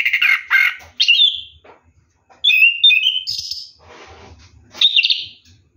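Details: Orange-headed thrush bathing at night, giving short whistled and warbled phrases separated by gaps, a rough lower note at the start and thin rising whistles later, with faint splashing.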